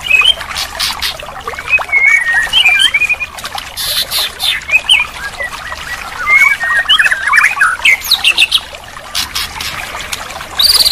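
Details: Training recording of a white-rumped shama song for restarting a bird that has stopped singing: loud varied whistles and slurred notes in short bursts, with a busy backdrop of other chirps and high hissing sounds.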